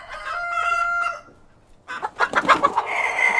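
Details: Farmyard cockerel and hens, a steady drawn-out crow fading to quiet, then a flurry of sharp clucks rising into a loud higher cackle.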